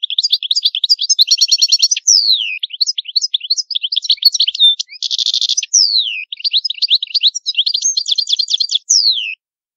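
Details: European goldfinch singing the antique Palermo Sicilian style, no background noise: continuous high twittering with rapid rattling trills, downward-sliding whistles and sharp chirps, almost unbroken for nine seconds.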